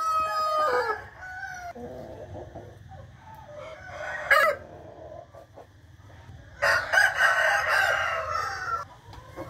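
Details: Morning cock-crow recorded 8 April 2021: a descending harmonic crow opens, followed by soft clucks and a sharp click, then a long, loud, rough crow lasting about two seconds, with low hum beneath.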